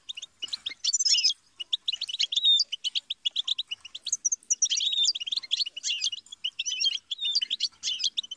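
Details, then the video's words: A European goldfinch delivers a long, rambling song of quick metallic twitters, tinkles and a few drawn-out whistled slurs, in bursts separated by short gaps. "Best guide for teaching and motivating songbirds - Goldfinch"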